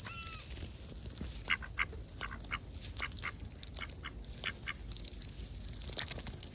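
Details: Up close with ducks going about their routine under a grey, overcast sky: uneven runs of short quacks, a few louder ones standing out, with a brief whistled note at the start.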